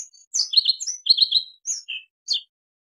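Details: Bluethroat sings quick, high phrases: thin rising whistles, then bursts of doubled and tripled chirps and a short ringing note, with pauses between, and faint low taps underneath.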